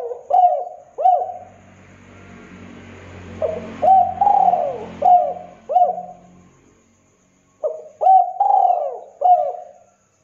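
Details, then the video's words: KUK 2 style spotted dove song, meant to train and lure other doves: repeated groups of short soft coos with a longer falling note, over a steady low rumbling background hum in the first half. "Masteran Tekukur Derkuku KUK 2 Gacor Untuk Pancingan pikat ampuh"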